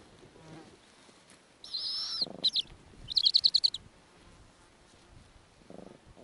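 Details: Snowy owl at an Arctic nest with five eggs and newly hatched nestlings, female feeding them small pieces; harsh high screechy calls, a long rasp then a rapid burst of about eight pulsed notes, with low soft rustling between.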